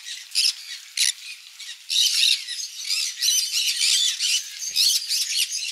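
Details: Conures feeding on mealworm egg food at a parrot farm, a dense run of raspy, buzzy squawks and chattering screeches, nearly continuous after the second second.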